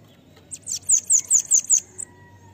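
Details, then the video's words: Bananaquit song of the 'pega pega' style, used to train other birds: a quick series of about seven high, thin, slurred notes in under two seconds, ending with a short higher note, over faint low background hum. "CANTO LINDO DEMAIS PARA ENCARTE DE SIBITE CAMBACICA ( sibite PEGA PEGA )"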